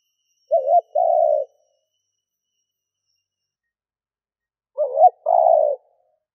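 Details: Spotted dove acting as a decoy for wild doves gives two phrases about four seconds apart. Each has a quick bent double coo and then a longer, slightly rough low note. The surroundings are quiet.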